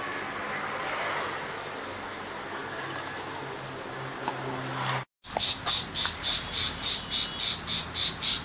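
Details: Tiger shrike in the Vietnamese countryside. A noisy rustling background at first, then after a short break a fast series of harsh, buzzy chattering notes, about three or four per second.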